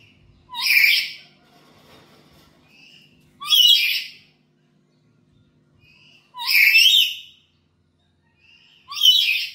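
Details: Harsh, rasping shrieks from a black-capped lory at home, used as a lure for training other birds. Four loud calls arrive about every two and a half seconds, each opened by a brief rising note, over a faint low hum.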